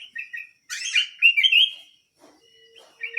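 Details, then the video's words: Canary with quick chirps leading into a loud rich warbling phrase, then a quiet stretch with a steady low tone before chirping resumes. "BURUNG KENARI MUNGIL GACOR"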